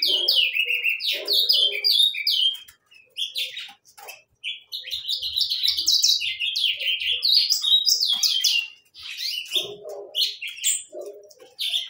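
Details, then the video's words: Saffron finches sing rapid, varied high chirps and short trills that run on almost without pause, with a few brief gaps and faint lower rustling notes. "gorriones pecho amarillo cantando"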